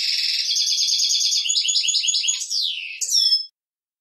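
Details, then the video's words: Male European goldfinch song for instructing young birds: a continuous, rapid, liquid twitter of high jingling notes, ending with a swooping downslur and a final bright, descending flourish. "european goldfinch male singing to indoctrinate young goldfinch"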